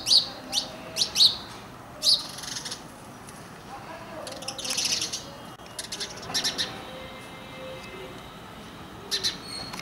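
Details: House sparrow of the Indian subspecies Passer domesticus indicus, in an urban Indian setting: a lively series of separate chirps, then a denser muddled patch of calls, ending with a last chirp over background noise.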